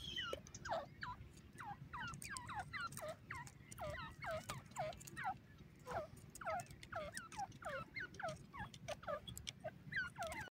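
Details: Francolin chicks in the forest giving a dense chorus of short peeping notes. Each note drops in pitch and they repeat rapidly and overlap throughout, over a low rumbling background.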